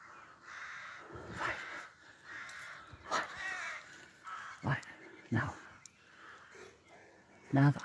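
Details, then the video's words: Rook at dawn, about 5am on 25 May 2024, in an urban area of Pulford, Chester, Cheshire, giving hoarse, grating caws, single or paired, every one to two seconds, with a man talking over them. "Rook bird song"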